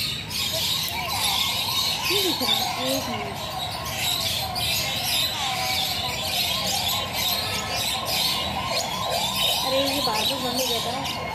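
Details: A blue-and-yellow macaw talking, chattering in wavering, speech-like squawks and whistles over a steady, hissing wash of background bird noise.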